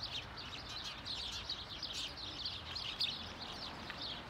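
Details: Flock of house sparrows in Hedbergska parken, Sundsvall, 26 November 2023, keeping up constant chirping call notes, many birds overlapping in a lively twittering mass with occasional louder cheeps.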